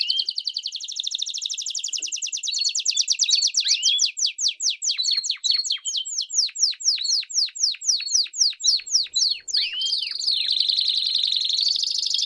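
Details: Canary in campainha-style song with chirps, played to train young canaries: high rolls lead into a long series of quick downward sweeps, about four a second, closing on a buzzy sustained roll.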